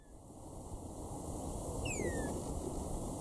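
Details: Red-winged starlings, a male and female feeding together on prickly pear berries in the Eastern Cape, South Africa, in March 2016. One clear, musical whistle slides downward, heard over a steady hiss of background noise.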